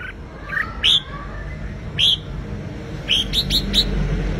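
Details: Red-whiskered bulbul competitive song used to stir a wild-caught bird: scattered sharp rising whistled notes with short gaps, a closing cluster of four quick upslurred chirps, steady low rumble underneath.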